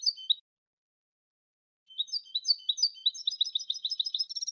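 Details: European goldfinch song: a brief twittered phrase, a pause, then a long accelerating stream of high, jangling, metallic notes that grows into a fast trill; no other sounds.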